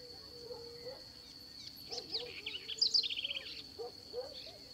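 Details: House wren (corruíra) at a small rural Atlantic Forest site in Brazil sings a burst of quick, bubbly high notes ending in a fast chattering trill, over a steady high insect-like whine and soft lower sounds.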